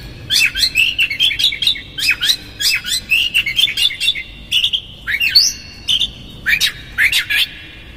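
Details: Rough-filled konslet song of an Oriental magpie-robin, used as a lure to provoke magpie-robins into tail-opening: dense runs of zigzag whistles and harsh chattering notes, then a long sustained high whistle and a few final swoops.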